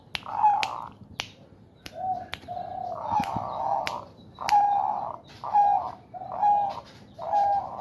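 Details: Male zebra dove kept in a bamboo cage, in breeding condition, stroked by its owner's fingers to prompt cooing; soft rolling coos in a loose series, mixed with sharp clicking and snapping sounds from the handling.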